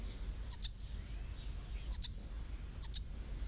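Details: European goldfinch calling clearly: a bright, high two-note chirp, a higher note followed by a lower one, repeated three times at roughly 1.2-second intervals against near silence.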